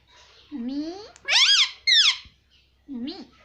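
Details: Indian ringneck parakeet kept as a pet, saying "mummy" over and over: a low nasal syllable rising into shrill, squeaky notes, then another clipped "mummy" after a short gap.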